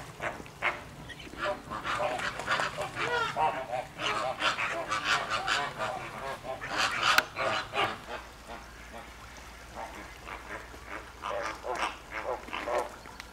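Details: Flamingos calling at Llanelli Wetland Centre, Wales, on 21 August 2021: a busy chorus of harsh honks and chattering notes, loudest in the first eight seconds, then thinning to scattered calls.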